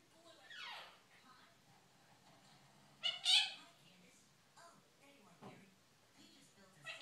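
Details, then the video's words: Young captive quaker parrot, a six-month-old female, talking to the dog at home; a falling whistled note, then harsh loud chatter bursts and short speech-like syllables separated by quiet gaps. "Quaker parrot talking"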